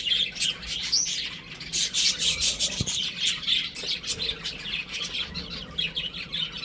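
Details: Playful chicks indoors chirp in rapid, uneven clusters of thin high peeps, and a soft knock is heard once near the middle.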